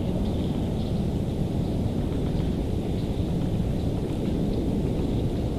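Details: Steady heavy rain patters on a surface with deep rumbling, and no animal voices come through.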